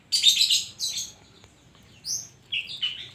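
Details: Oriental magpie-robin singing with koslet imitations: harsh, rasping high chatter, then a sweet upslurred whistle and two quick descending whistled phrases, in a quiet setting.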